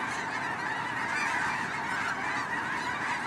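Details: A huge migrating flock of snow geese makes a steady, overlapping roar of nasal, yelping honks, blending into one continuous clamor with no quiet gaps.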